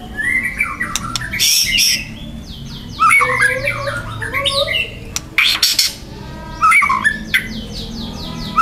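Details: Young wild white-rumped shama delivering loud, dense harsh 'tembakan' song: repeated raspy buzzes and rattling bursts mixed with varied whistled slurs and downward sweeps, phrases coming in quick succession.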